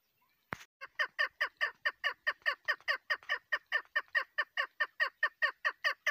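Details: A female chukar partridge gives a long run of harsh, clucking notes, about two or three per second, steady and insistent, after a sharp click at the start.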